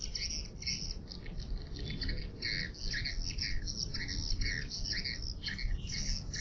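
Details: Swiftlet calling sound used as a lure: clusters of sharp, chattering chirps in uneven bursts, some doubled, over a constant low rumble.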